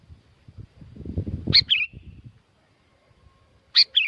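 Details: Sooty-headed bulbul from Curug Agung, Subang, West Java, Indonesia, singing lively as a lure: a burst of low rumbling noise, then two short phrases, each a sharp high note and a quick falling warble, about two seconds apart.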